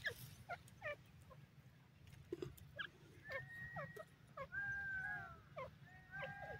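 A francolin gives short, clipped notes, then longer drawn-out whistles that slide slightly downward, over a steady low rumble of background noise.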